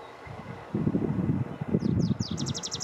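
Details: Tree pipit singing in Yarner Woods, Dartmoor, on 4 June 2020: a run of short, high, down-slurred notes that quicken into a rapid, even trill near the end, over heavy wind rumble and rustling leaves.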